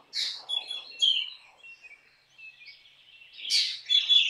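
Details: Black drongo singing, with harsh descending rasps opening and closing the phrase and faint thin whistles and twittering notes in the quieter middle stretch.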